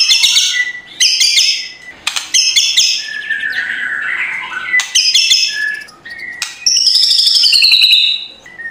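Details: White-rumped shama giving coarse kretekan song, used as a morning lure to rouse lazy shamas into singing: loud bursts of high whistles and harsh rattled notes, a lower warbling passage midway, ending on a long sliding whistle.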